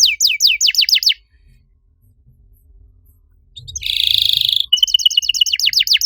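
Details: Canary singing a master song for training other canaries; a burst of falling whistled notes, a pause with faint hum, then a loud buzzy roll and rapid descending notes.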